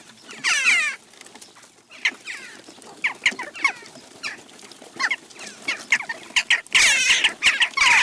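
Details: Western jackdaws crowd a garden feeder in Recke, Germany, in June 2021. Their abrupt falling chak notes come in rapid, irregular volleys, louder at the start and end. Dense overlapping calls close the recording.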